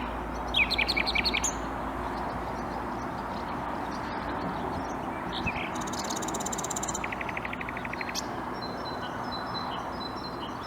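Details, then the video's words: Common nightingale in song at Bursa, Turkey, 14 April 2021. A quick descending trill opens, then a scratchy buzz and a fast run of identical clipped notes, with thin whistles later over steady background hum. "Bülbül sesi dinle-Common Nightingale"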